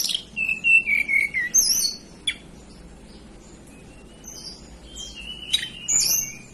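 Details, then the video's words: Hill blue flycatcher, a local bird native to the mountains of Banten and West Java, Indonesia, singing clear high whistled phrases with sliding, descending notes, then a pause and a second burst of sweeping whistles. "Tledekan Gunung lokal asli Banten"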